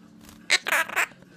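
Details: A pet male monk (quaker) parakeet, mimicking its owner's speech while arguing about not wanting to eat, gives three harsh, raspy, speech-like bursts in quick succession, each under a quarter second, with a faint low hum behind.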